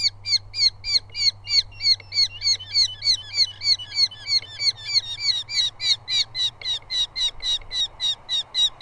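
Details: A southern UK Eurasian hobby nest, filmed live, where two chicks squabble over moths brought by their father. Rapid scratchy calls repeat about three or four times a second for nine seconds and become denser and overlapping midway.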